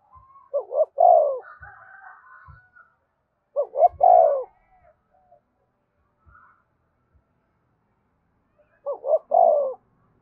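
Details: A spotted dove sings the 'gáy thúc' style played to prompt caged birds to call. Three phrases, each two short coos leading into a longer falling note, come roughly every four seconds, with faint soft calls between.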